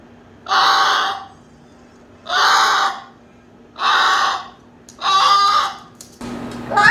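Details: Pet Moluccan cockatoo indoors making noises: four loud, harsh, raspy screeches, each about half a second long, repeated roughly every one and a half seconds, followed by a brief clatter and a rising squeal in a small room.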